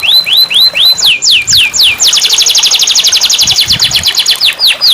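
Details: Canary song used as therapy for a canary that no longer sings: repeated rising whistles, then loud swooping downslurs and a long fast rolling trill of sweeping notes, ending in slower swoops.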